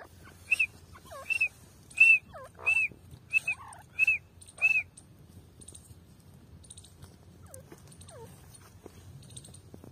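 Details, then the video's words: Female grey francolin recorded on 29 November 2022, giving a run of seven short, high, arched notes about every half second, followed by a few fainter, lower notes. A low steady hum runs underneath. "Female Teetar Madi ki awaaz grey francolin"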